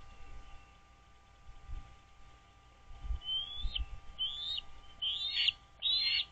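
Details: Nest-camera sound from a wild American bald eagle pair on Dale Hollow Lake, Kentucky-Tennessee line, 09.04.2023, 08:29. Shrill, rising squealing notes grow louder and closer together, ending in harsh high bursts, over a faint electrical hum and low rumbles.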